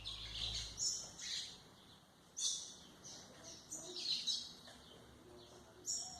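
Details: White-throated seedeater song for tutoring young birds: high, bright chirping phrases in short bursts separated by pauses, with a steady background hiss.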